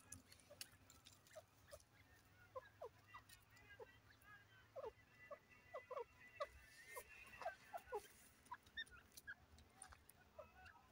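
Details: Irani teetar, a francolin: many short, sharp chirps at mid pitch come in quick, irregular bursts of about two per second. Several notes overlap, with faint background hiss.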